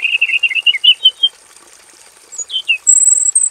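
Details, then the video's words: A robin, a vigorous singer in a simple aviary cage recorded as a training tutor for other birds, sings a quick run of warbled, chirping notes, pauses, then adds thin, high whistles over a faint hiss. "KICAU SUARA MASTERAN BURUNG ROBIN GACOR FULL VARIASI"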